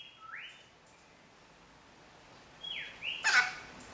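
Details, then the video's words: Caged pet Rainbow Lorikeet imitating a robot-bleep ringtone: two smooth, rising whistled sweeps like electronic beeps, then a short burst of harsh, noisy chirps. "Star Wars R2D2 Bird"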